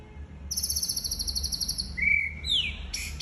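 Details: Murai batu, the white-rumped shama, singing for other birds to copy: a long, high, fast trill fading out, a level whistle, a downslurred note and a final burst, over steady low background rumble.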